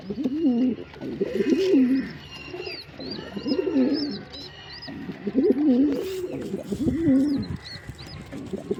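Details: Male pigeon cooing: a run of low, wavering, throaty coos that rise and fall, repeated in bursts about every second, while thin high chirps from smaller birds flicker above in a room-like space.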